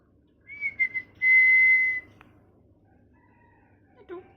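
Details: A molting pet parrot gives a few quick high chirps, then one long, steady, clear whistle lasting under a second. Quiet follows, with a faint short chirp near the end.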